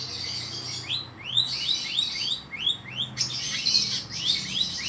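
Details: Long-tailed shrike singing energetically: a rapid, continuous run of high arched notes that rise and fall, delivered in quick succession, with a brief louder burst midway.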